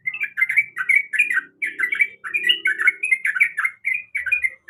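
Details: A female sooty-headed bulbul in breeding condition calls the male with lively, bubbling phrases of slurred chirps in short bursts, a faint low buzz running through the middle.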